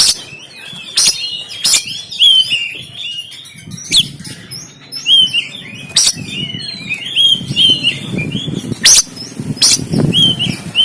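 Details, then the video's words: Caged oriental magpie-robin in Banten recorded on an Android phone, repeating looping whistled phrases interrupted by sharp loud clicks every second or two, with low rustling below. "KACER TEMBAKAN KASAR‼️Full Emosi Dongkrak Kacer Yang Malas Bunyi Dan Buka Ekor"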